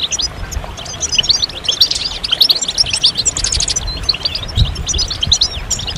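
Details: Group song of European goldfinches, played to stimulate males out of silence and moult, including mating calls: busy overlapping high twitters, trills and sharp chirps, steady and unbroken, with some low background rumble.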